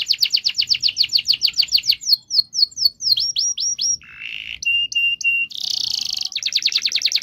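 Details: Canary singing long rolling phrases, used to stimulate silent canaries: fast descending trill, slower swept whistles, a low buzzy note, clipped high-pitched pips, then a dense buzzing roll and quick repeated notes.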